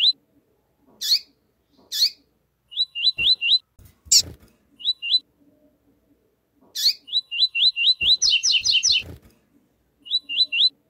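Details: Double-collared seedeater, male singing the "tui tui zero zero" song while a female calls: short runs of three to five quick whistled hooked notes, a fast doubled buzzy trill near eight seconds, and scattered sharp high chips between, with quiet gaps.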